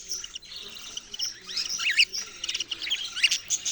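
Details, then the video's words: Budgerigar chatter that starts soft and grows busier, with looping up-and-down warbled notes and quick bright chirps crowded together toward the end. "parrot sounds and chirping sounds"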